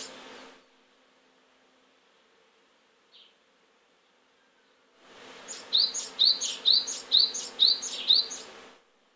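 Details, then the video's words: Great tit near its nest box, singing to drive off sparrows that have settled in its territory; after a quiet stretch comes a run of seven rhythmic two-note phrases, high then lower, about two per second. "四十雀の鳴き声２/ Great Tit -2"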